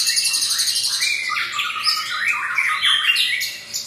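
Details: Long-tailed white-rumped shama, a Medan-type bird kept under special care, singing a loud, rich and varied song of quick whistled and chattering phrases that rise and fall, with rapid trills and sharp high notes following one another without pause.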